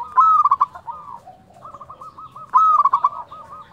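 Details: Zebra dove, local, in 'nyuling' flute-style song: two ringing phrases about two and a half seconds apart, each a long whistle then rapid clipped coos, with a softer rolling coo chorus between.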